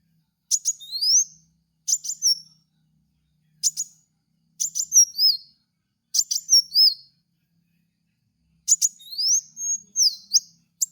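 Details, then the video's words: Kolibri wulung sunbird training lure: repeated short bursts of high clicking ticks with rising whistled tails, six phrases spaced one to two seconds apart, the last longer and more elaborate; no other sounds. "apapun pasti langsung nyaut dengan pancingan suara burung kowul ini"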